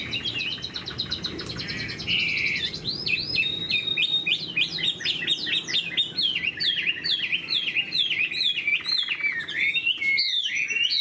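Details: Chinese hwamei, a moulting cage bird, pours out a rapid stream of repeated swooping whistles, about four per second, ending in higher sliding notes.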